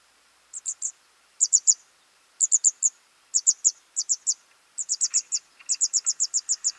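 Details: Young birds being fed: very high, thin, short peeps given in quick bursts of three to six notes, the bursts coming about once a second and growing longer toward the end, with faint lower chirps.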